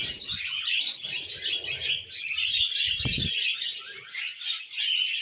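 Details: Pair of pet budgerigars singing while perched on a hand: continuous busy chattering warble of rapid chirps, clicks and squeaky notes, with a short low thump near the end.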